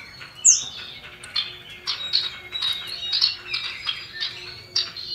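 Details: Male and female common iora (cipoh) used as a lure, the female calling to males. A sharp high falling note opens a busy run of short twittering chirps spaced irregularly.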